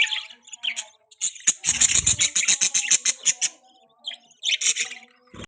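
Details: A baby budgie gives scratchy chirps, then a fast rattling run of clicking notes, followed by more squeaky twitters.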